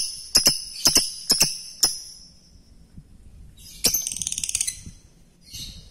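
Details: Lovebird calls meant to prompt other lovebirds to answer and sing: sharp, high, clicking chirps in a quick series of five, a pause, then a dense buzzy chattering burst and a softer trailing chirp.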